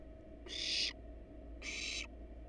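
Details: Wild barn owls, mother and father resting on their nest box while the nestlings are inside; two loud, rough hissing bursts about a second apart, the first stronger, over a steady mechanical hum.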